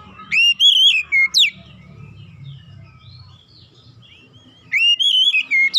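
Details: Oriental magpie-robin (kacer) song used as therapy to get a silent bird singing: two bursts of loud, clear whistled phrases with rising and falling slurs and sharp downswept notes, separated by a quiet gap with low background rumble.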